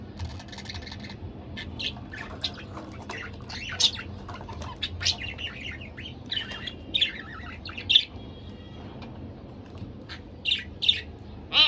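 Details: A pet budgerigar pair giving busy warbling chatter, a stream of fast chirps, ticks and brief squeaky notes, louder clusters near the middle and end, over a low steady hum.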